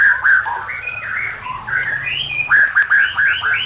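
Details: White-rumped shama singing, a recording meant to train or lure other shamas: a flowing run of rich whistled phrases rising and falling, ending in a quick series of repeated upswept whistles, with a faint low hum beneath.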